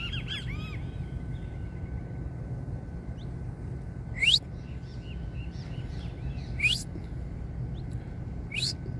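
Saffron finch giving short, bright chirps and upslurred notes, a few seconds apart, over a steady low rumble and a faint constant tone.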